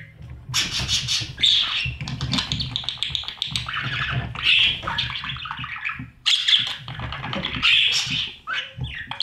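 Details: Nestling budgies in a breeding nest box during feeding by their parents. Rough, grating chatter in long overlapping bursts separated by brief pauses, with shuffling noises.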